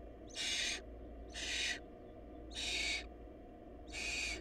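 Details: In a barn owl family short of food, the nestlings give four half-second rasping hisses at uneven intervals, over a steady low background hum.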